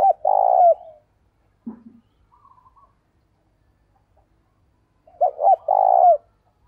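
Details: Spotted dove, a decoy bird calling in the morning to lure wild ones: two deep phrases of hoots and a sustained falling coo, with a brief low grunt and soft high twittering between them.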